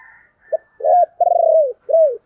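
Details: Spotted dove in the 'chìm' cooing style, used as a lure call for decoy birds: a short clipped note, then two full low coos that slide downward, and a final shorter falling coo. A faint hum sounds at the start.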